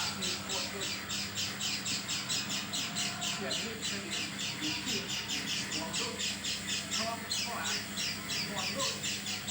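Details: Unusual-sounding oriental white-eye, not its normal voice, giving a long unbroken string of scratchy, buzzy high notes in quick succession, about four per second. Softer lower chirps are scattered in the background.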